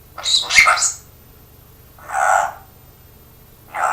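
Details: Parrot speaking and coughing like its owner: a raspy, broken double burst, then a rounder hoarse syllable two seconds later, and the start of another at the end.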